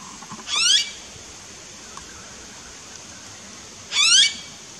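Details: Blue-faced honeyeater in an Australian backyard garden: two short, harsh, rasping notes about three and a half seconds apart, each sweeping upward, with near silence between them.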